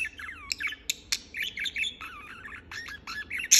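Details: Budgerigar chattering without pause: curving whistled notes, rising and falling slurs and scratchy chirps, with a few sharp clicks and a harsh burst at the end.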